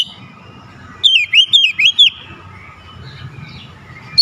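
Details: Oriental magpie-robin singing for a lazy magpie-robin: one short phrase of four or five rapid, looping whistles, set against a faint background hum.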